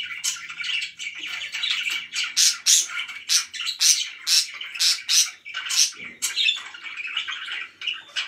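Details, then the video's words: Very happy pet budgerigars chirping in loud, clipped bursts about every half second, buzzy and harsh, with softer chatter between. "VERY HAPPY BIRDS #chirpingbirds #budgie"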